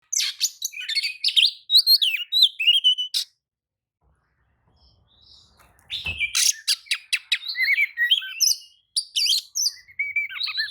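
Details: Agitated Oriental magpie-robin answering another magpie-robin's song: rich, varied high whistles, sharp chirps and buzzy trills in two lively bursts separated by a pause of about two seconds, with a low thump near the restart.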